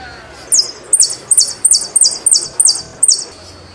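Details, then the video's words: Saffron finch song: eight strong, evenly spaced, high descending slurred notes, each a clipped chip sliding downward, repeated roughly every third of a second against a quiet background. "JILGUERO ARGENTINO"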